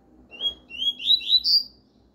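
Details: Double-collared seedeater classic 'tuí-tuí' song, used for teaching chicks to sing: a quick run of five clear, high whistled notes climbing slightly in pitch, over a faint low hum.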